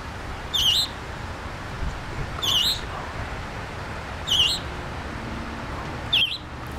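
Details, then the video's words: Fledgling scarlet tanager in a park in New Kensington, Pennsylvania: four short, high, quavering notes spaced about two seconds apart, the last one slightly fainter, over quiet background noise. "scarlet tanager bird singing"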